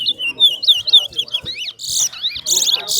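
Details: Large-billed seed finch (towa towa) singing in a bird singing competition: a quick run of clear, sweet whistled notes that slur up and down, then broken by loud hissing bursts of noise.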